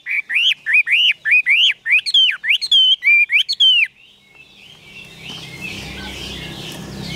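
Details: Caged Chinese hwamei sings about ten rising-and-falling whistled notes in a steady rhythm, then stops, leaving a hissing, rustling background noise.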